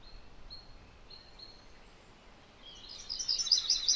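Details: MacGillivray's warbler bursting into a loud, rapid chattering song after a quiet stretch where a few thin, flat whistles from another bird sound in the background.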